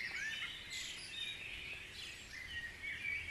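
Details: Several birds singing together at dawn in Guisborough, forming a steady tangle of high twittering and thin whistles with no pauses.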